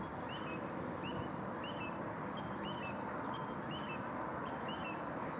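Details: Little ringed plover (Charadrius dubius) at a gravel pit in Zagreb, Croatia, 8 May 2015: short, high, down-slurred 'pee-oo' calls about every half second over a steady rushing background hiss.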